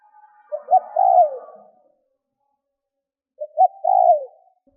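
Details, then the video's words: Two phrases from a spotted dove kept as a decoy to call in wild doves. Each has a pair of quick soft notes followed by a longer, mellow coo that drops in pitch. A faint tonal hum comes first. "CU GÁY MỒI THÚC GÙ KÍCH BỔI NHANH NỔI - TIẾNG CHIM CU GÁY KÍCH BỔI"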